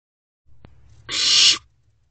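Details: Barn owl owlet in a nest box, recorded at night around 1:20 am in late May; a single harsh, broad rasping hiss lasting about half a second, preceded by a soft low rustle.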